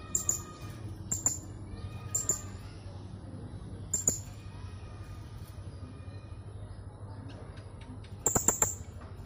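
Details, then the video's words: Contest-entry blue-crowned hanging parrot from Jungkat, West Kalimantan, caged: doubled shrill high notes at uneven intervals, a quiet stretch of hum, then a fresh burst of piercing squeaks near the end. "LOMBA SERINDIT ONLINE 2 - Aksi Serindit"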